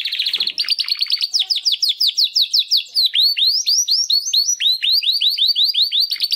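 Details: Young male Timbrado canaries, two caged brothers born in 2020's second breeding round, singing early attempts after their first molt: a long series of repeated downslurred whistled notes, about three per second, steady and loud.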